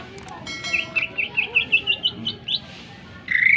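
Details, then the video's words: Greater green leafbird singing sharply, as a lure to stir other birds to sing: a quick string of about a dozen similar whistled notes, slightly rising, then a pause and a harsh burst at the end. "cucak ijo gacor full suara tajam cocok untuk pancingan agar burung gacor dan emosi"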